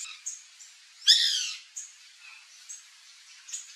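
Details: White woodpecker in a backyard with fruit trees, Brazil: one loud, harsh, buzzy squawk lasting about half a second, surrounded by faint, thin, high chirps.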